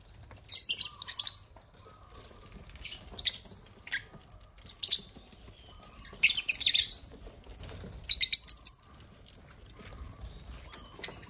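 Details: Agapornis lovebirds hijacking a millet crane at a miniature construction site; recurring clusters of shrill, high chirps and squeaky chatter every second or two.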